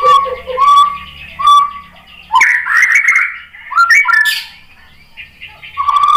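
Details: Provocation song of a white-rumped shama: spaced mid-pitched whistled notes, then a rich burst of varied warbling and slurs, and a final whistle.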